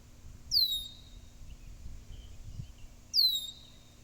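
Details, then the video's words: Blackbird giving thin, high whistled calls that slide downward, two separate notes about two and a half seconds apart over a faint low background rumble. "Blackbird Making Noises"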